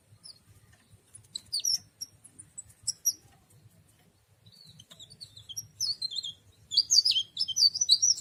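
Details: Leaf warbler known locally as cikrak daun or tralis giving scattered high, thin twitters, first in short bursts, then building into a denser run of chirping notes toward the end.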